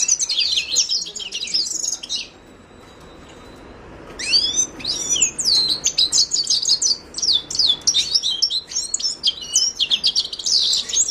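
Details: Himalayan goldfinch delivering rapid, high buzzy twitters, falling silent for about two seconds, then resuming with a long, energetic run of chattering notes.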